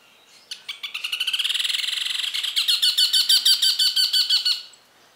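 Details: A Lineated woodpecker in the Pantanal, Brazil, gives a long, loud ringing series of high notes, rapid at first then slightly slower and stronger, lasting about four seconds.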